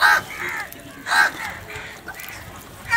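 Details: Crows fighting over food, giving harsh cawing calls: loud caws open the clip and recur near one second, with fainter overlapping caws between and a final caw at the end; background hum.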